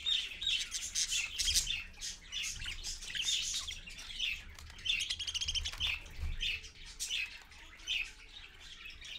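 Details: Parakeets, a parent with her babies, at 6:20 AM on 4.1.15 on a live camera stream, give dense twittering chatter of rapid buzzy chirps, loudest in the first half, with faint low thumps below.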